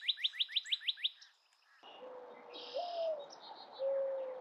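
A quick series of seven bright, upward-sweeping chirps, about six a second, then a steady noisy background with low, drawn-out whistles.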